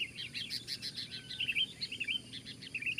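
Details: Sooty-headed bulbul singing loudly while fighting, one bird against four rivals; dense bright chirping notes follow quickly one after another throughout, over a low rumbling background.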